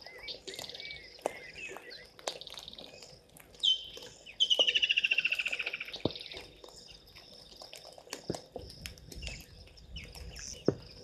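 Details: At a waterhole on Djuma Game Reserve in South Africa's Sabi Sand, white-faced whistling ducks call at 17:52 on 02/12/2023: a sharp whistle followed by a fast falling series of bright whistled notes, with background insect trills and ticks.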